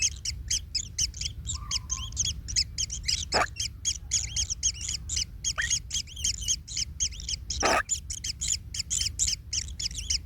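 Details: Chicks of a kingfisher crowded in the nest as the parent treads on one, leaving it in pain: fast, scratchy, double-banded calls stream on almost nonstop, broken by three short thumping knocks.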